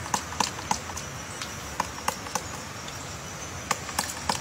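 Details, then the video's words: Woodpecker making a nest, sharp irregular knocks on wood, about three or four taps per second with short pauses, over steady background hiss and a faint high whine. "woodpecker making nest"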